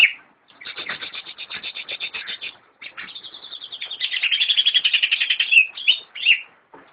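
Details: Cucak ijo, the greater green leafbird, a captive bird from a friend's collection, gives a fast stuttering series of clicking chirps that builds into a loud, dense warble and closes with a few clear whistled notes.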